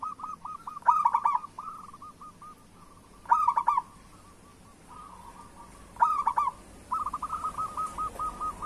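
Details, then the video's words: Local zebra dove song meant to set off other doves: loud rolling phrases at roughly two-and-a-half-second intervals, with quieter runs of rapid coo notes between them and a faint background hiss. "Perkutut Lokal Gacor Suara Pancingan Burung Perkutut Paling Cepat Bunyi"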